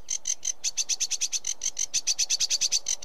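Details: Continuous sedge warbler chatter: a steady stream of buzzy, scratchy notes at roughly three per second, even in loudness throughout.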